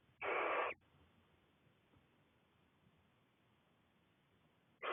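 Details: Six Cornish barn owlets together in a nest box, left alone while the mother is out, give a harsh, breathy hiss lasting about half a second, then a long quiet gap before another hiss starts at the end.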